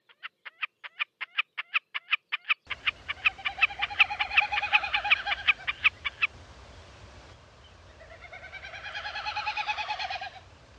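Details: Wilson's snipe: a steady series of sharp, clipped notes repeated about six times a second, then a denser overlapping run of similar notes, ending in a hollow, pulsing, rising-and-falling tremolo over a low background hum.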